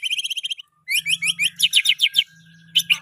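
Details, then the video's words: Caged white-rumped shama, murai batu, singing a rich pastol-style song: rapid bright whistled and chattering phrases, short notes repeated in quick runs, a brief pause, then more rhythmic bursts of loud repeated notes. "murai batu pastol isian mewah"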